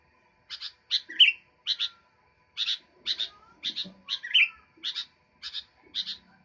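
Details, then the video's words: Sooty-headed bulbul singing actively: pairs of short, bright chirps repeated at uneven intervals, with two louder swooping whistled notes among them; quiet background. "Burung kutilang gacor"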